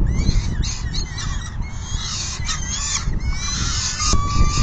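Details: Peregrine falcon nest on 10 June 2022 at 4:08 PM during a full feeding; rapid choppy series of scratchy, harmonic calls, ending with a thin steady tone, against continuous low wind roar.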